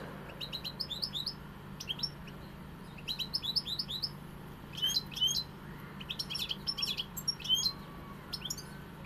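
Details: European goldfinch singing in the pegada style: bursts of bright, high twittering notes and quick rising chirps, phrases separated by short pauses, over a steady low hum.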